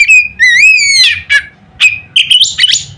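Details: Loud Oriental magpie-robin phrases meant to get rival birds singing: a long rising whistle, a harsh downward note, then a quick run of high chips and buzzy warbled notes.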